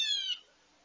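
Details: A single short, harsh, slightly falling blue jay scream near a feeder at breakfast. It is loud and nasal, rings briefly and then fades into quiet.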